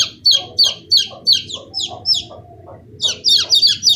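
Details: Chicks of domestic chicken calling with sharp, high-pitched peeps that bend downward, about three per second, thinning out briefly before a dense overlapping burst at the end over a soft low background hum.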